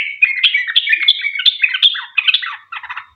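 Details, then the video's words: Vigorous sooty-headed bulbul in long 'ropel' song, meant to draw answering song from other bulbuls. Dense, fast warbling chatter, ending in a short pause and a final burst of buzzy notes. "Trucuk gacor ROPEL PANJANG buat pancingan trucukan agar bunyi"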